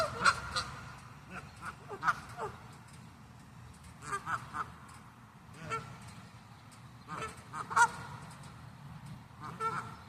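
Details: Several wild geese honk repeatedly in irregular bursts, nasal and harsh, some overlapping, spread across the whole stretch, over steady low rumbling noise.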